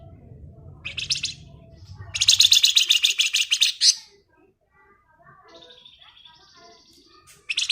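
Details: A lively flamboyan bird gives its rapid 'ngebren' song: a short buzzy burst, then a long harsh rattling trill of almost two seconds, followed by a thin drawn-out high whistle and the start of another burst.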